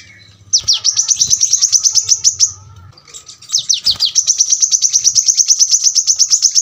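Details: Brown-throated sunbird delivering two long, tight rattling trills of very high, piercing notes, each opening with a downward swoop, separated by a brief pause.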